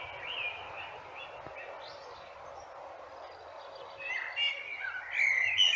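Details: Common blackbird singing: a run of low fluted notes near the middle of the range, fading into quieter phrases, then finishing in a louder, higher twittering flourish over soft background hiss.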